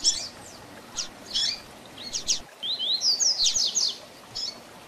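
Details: A double-collared seedeater gives its Tui Tui Zel Zel training song for young birds. Spaced high slurred notes lead into a fast run of rising whistles, then taper off.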